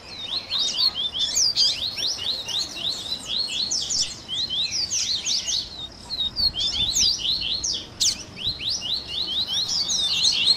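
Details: Double-collared seedeater training song mixing tui tui, grego, viviti, flauteado and third-note variants: long, varied sequence of quick high slurred chirps in clustered phrases, with one sharp click near the end.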